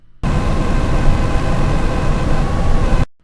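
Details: Loud, rushing blast of wind or engine-like noise starts abruptly and stops after about three seconds; no animal voice.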